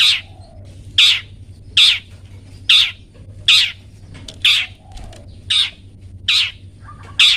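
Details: Captive long-tailed shrike used for training pet birds gives a steady run of nine harsh, grating calls, one nearly every second, with a low hum behind.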